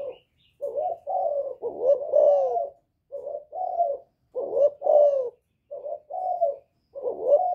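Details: Thổ-voiced spotted dove giving its calling coo to goad wild rivals, a run of husky, rounded coos grouped in phrases of two or three, separated by short silences.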